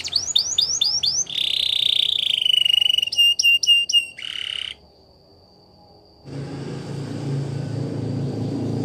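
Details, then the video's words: Belgian canary, singing for canary training: a row of sharp hooked chirps, a long buzzy rolling note, clipped repeated notes and a short harsh burst, followed by silence and low background hiss. "Canaries Singing | Belgian Canary Song"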